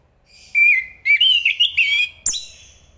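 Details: Song of an Enggano thrush, Zoothera interpres: a clear sustained whistle, then a run of wavering slurred warbles, ending with a sharp high note.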